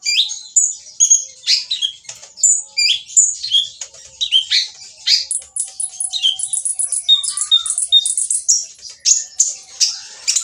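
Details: Olive-backed sunbird in full rough song, meant to make quiet birds reply: continuous rapid chattering of high scratchy and buzzy notes mixed with short whistles, growing denser and shriller toward the end.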